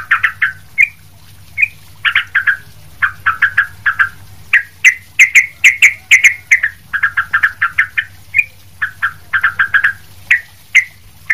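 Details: Sooty-headed bulbul in energetic song meant to tutor other bulbuls: clusters of crisp, repeated chirps and a few upslurred whistles, with short silences between the bursts, over a faint steady hum.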